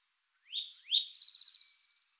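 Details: Spotted towhee giving two rising, slurred introductory notes followed by a fast, buzzy trill lasting about three quarters of a second, against a quiet background with faint steady high hiss.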